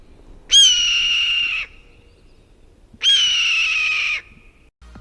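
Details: Red-tailed hawk (Buteo jamaicensis), the scream often used in Western films as an eagle's cry: two long, hoarse, descending screams about two and a half seconds apart, each roughly a second long, over a quiet background.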